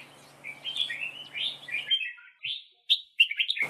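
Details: Red-whiskered bulbul singing a duel song at a trap as a decoy bird: quick warbled, chattering phrases, bright and slurred, running for two seconds, then a brief pause and sharp clipped notes and a rapid burst at the end.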